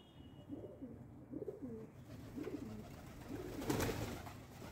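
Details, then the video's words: Pigeons cooing at breakfast feeding time: a series of low, soft, rolling coos repeated roughly every second, with a brief flutter or scuffle near the end and a steady low background hum. "Pigeons Breakfast Time"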